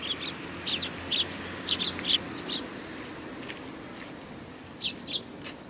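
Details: Several sparrows at a Tenmangu shrine on 4 July 2019 give short, bright chirps in loose, irregular bursts, some doubled, with quiet gaps between and a faint low hum in the background.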